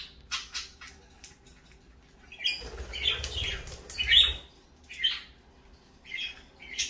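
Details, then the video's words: Parakeets in the morning with fainter, scattered chirps and squeaks, a rustling low rumble in the middle, and a few clearer high notes spaced out toward the end. "parakeets morning fun"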